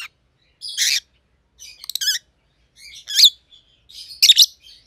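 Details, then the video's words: Two captive rosy-faced lovebirds, white-headed pallid and green opaline colour mutations, give harsh, scratchy chirps in four separate bursts, each a short raspy squawk spaced about a second apart. "Rosy-Faced Lovebirds - Chirping and Call Sounds"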